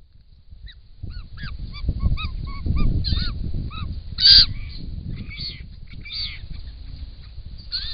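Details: Wild White-winged Choughs caught on a camera trap at a pond in Australia, a large group arriving loudly; series of short harmonic piping notes repeated rapidly, then harsher grating calls over low rumbling background noise.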